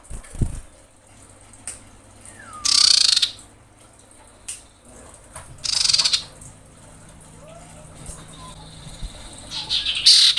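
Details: Breeding female common iora calling males: three loud, buzzy high rattles spaced about three seconds apart, with faint slurred whistles between them.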